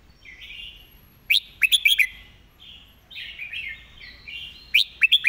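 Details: Red-whiskered bulbul singing a clear master song used for teaching birds: soft warbled phrases near the top of its range, broken by two bursts of loud, sharp, bright notes in quick runs.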